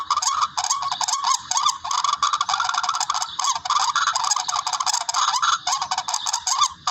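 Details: Tikling, or barred rail, calling for use as a hunting lure: a steady stream of loud, nasal, honking notes, closely packed and overlapping, with no pauses.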